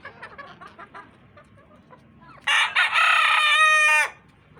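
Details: Rooster kept with a family of hens, crowing once: a loud, harmonic-rich cock-a-doodle-doo lasting about one and a half seconds, preceded by soft clucking and quiet background chatter.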